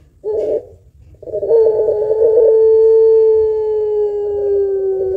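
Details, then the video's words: Puter pelung barbary dove with a long voice and thick kuwok, used to stimulate other birds: a short coo, then one very long, steady, low coo held for about four seconds, sliding slightly down at the end. "Burung Puter Pelung Gacor Suara Panjang Kuwok Tebal Cocok Buat Pancingan"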